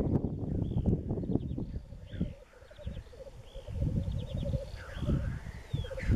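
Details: Black grouse displaying at a spring lek in east Wales, 31 March 2016; rolling bubbling coos hold steady throughout, overlaid by sweeping high calls of other birds and low wind rumble.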